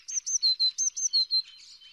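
A green-backed tit sings clear, high whistled notes in quick pairs, about four per second, alternating slightly higher and lower pitches.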